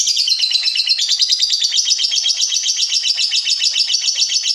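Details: Lovebird ngekek: a dense, shrill, fast chatter of rapid pulses, more than two per second, held steadily throughout without pause.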